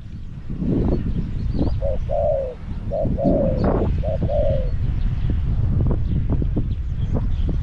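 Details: Decoy Spotted dove calling from its cage to attract wild doves, Song Phi Nong: a run of mellow low coos, short lead notes and drawn-out falling phrases in quick succession, with rustling and clicks around.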